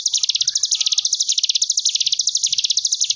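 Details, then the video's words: Continuous rapid high trill of a Sunda bush warbler, the wavy buzzing ngebren gelombang tawon style used to tutor young caged birds, pitch gently rising and falling roughly every second. "Cigun Ngebren Gelombang Tawon Jeda || Masteran Ciblek Gunung 30 Menit"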